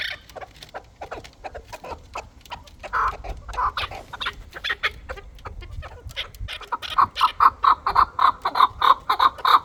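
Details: Dulani fighting chukar partridge: muffled, murmuring clucks give way to a regular, loud run of chuk-chuk notes, around two each second, over low background rumble.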